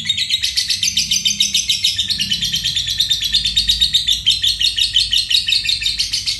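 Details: A lovebird of the fighter type delivers an extended ngekek, the long trill valued for contests and as a model for other songbirds: sustained, shrill chattering pulses that dip slightly in pitch and continue without a pause.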